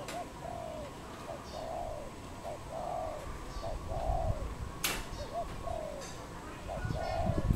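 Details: Wild dove in Cambodia, recorded 23 April 2020: a steady series of soft, low cooing notes, each a short rising-falling hoot, repeated roughly three times a second with brief pauses, a sharp click midway and a few faint chirps from other birds.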